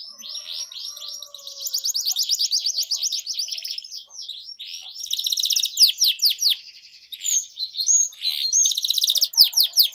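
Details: Canary singing steadily, used as a lure to get silent canaries singing again: fast high twittering trills and rapid sweeping notes, broken by short pauses, with a few brief sharp chips near the end.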